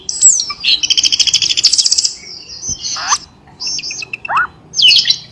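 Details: Cucak keling call played to wake up quiet pet birds: a slurred high whistle, a rapid pulsing trill, and two loud downward-then-rising swooping notes separated by pauses.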